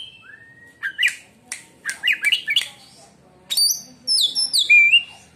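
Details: White-rumped shama singing, its song claimed to make other shamas go quiet: a long rising whistle, then harsh chattering bursts and a run of bright, downslurred whistles.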